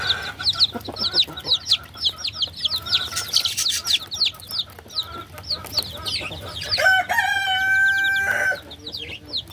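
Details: Baby chickens chirp rapidly in a high, overlapping chorus. Toward the end a louder, drawn-out harmonic cry rises above the peeping for about a second.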